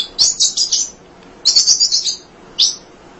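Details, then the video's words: Untiring munia song meant as tutor material for other songbirds: two quick bursts of high, buzzy, rattling chirps separated by a pause, then a single short rising chip. "Kicau Emprit Ngoceh Tak Kenal Lelah Untuk Masteran"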